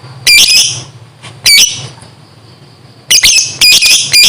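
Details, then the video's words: Lovebird heard in the morning with harsh, grating squawks: two single bursts, then a quick cluster of three rasping notes, against a faint steady whine and low hum. "Suara Asli Burung LOVEBIRD di pg hari 1menit Langsung NGEKEK DURASI PANJANG"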